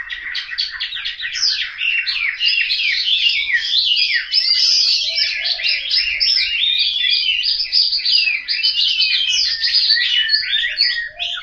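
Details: Chinese hwamei kept as a household cage bird in Hanoi, Vietnam, delivering a long, dense run of loud varied whistles, trills and warbling phrases without pause.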